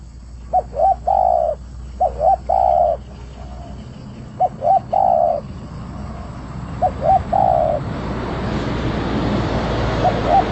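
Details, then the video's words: Spotted dove singing energetically, giving paired coos: a short note followed by a longer, slightly falling coo, repeated in four phrases. A rising rumble of traffic-like noise grows toward the end. "Burung trkuku gacor"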